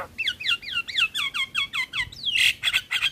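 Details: Black-winged starling song in a tutor recording mixed with other starlings: about a dozen clear whistled notes, each sliding downward, delivered rapidly in a steady run, then a loud harsh rasping burst and choppy scratchy notes.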